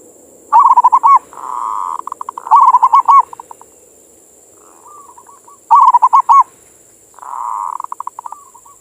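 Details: Local zebra dove (perkutut) singing, used to stimulate other doves to sing in morning and evening sessions: bubbly, staccato cooing phrases that roll and trill, repeated every few seconds over a faint high hiss.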